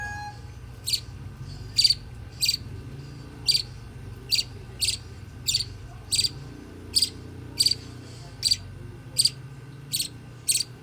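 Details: A 9-day-old budgerigar chick gives short, high, scratchy peeps, about thirteen in ten seconds at a steady pace, over a low background hum.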